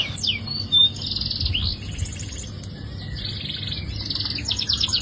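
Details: Canary singing a long, rapid, high song of buzzy trills and rolling notes, with a brief clear whistle near the start and a steady low hum underneath.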